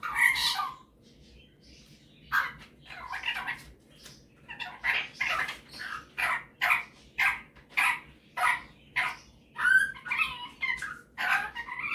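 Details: Superb parrot, a pet male kept indoors, showing off his vocal skills: after an opening squawk, a steady run of short rasping calls repeats about every half second.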